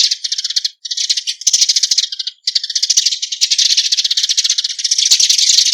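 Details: Eurasian tree sparrows calling the flock together, a continuous high-pitched chatter of fast overlapping chirps that pauses twice briefly, then swells louder toward the end, in a clean recording.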